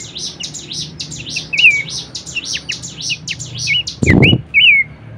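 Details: Horsfield's babbler whistles a few looping, down-slurred notes over a dense chorus of high, rapid chirps from other birds. A brief loud thump cuts in near the end, over a low background hum.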